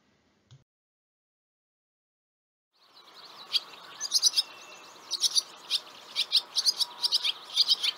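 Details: Barn swallow (Hirundo rustica) call: quick, high twittering chirps, about two a second, over a soft hiss of background noise after a brief quiet start.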